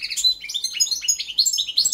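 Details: A European goldfinch of the subspecies Carduelis c. balcanica sings a fast, tinkling twitter of high, liquid notes and buzzy trills, running on without pause. The song contains an error or fault.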